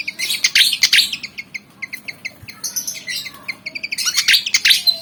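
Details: Bursts of harsh jumbled twittering from a black and white Javan fantail eager to fight, separated by a quick series of short sharp chirps.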